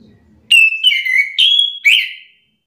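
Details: Orange-headed thrush, provoked into answering another bird's song: a run of four clear whistled notes, alternating level, falling and rising slurs, with a faint low murmur before the phrase.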